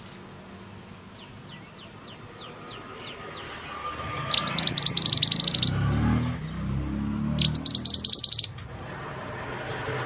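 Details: White-rumped shama from West Sumatra singing actively: two quick runs of high, sharp, rapidly repeated notes about three seconds apart, with faint thin chirps and low rumbling in the background.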